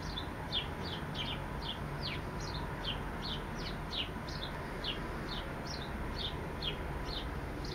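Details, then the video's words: Long run of sparrow chirps, brief descending notes repeated two or three times a second, over continuous low background noise. "sparrow sings"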